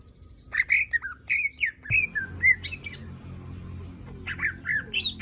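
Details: Greater green leafbird singing energetically to serve as a lure for other birds, a rich mix of slurred whistles, squeaky chips and mimic-like phrases with low background noise.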